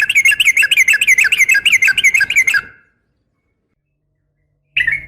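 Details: A female yellow-vented bulbul calling a male gives a burst of rapid chattering notes lasting nearly three seconds, then falls silent before one brief note at the end.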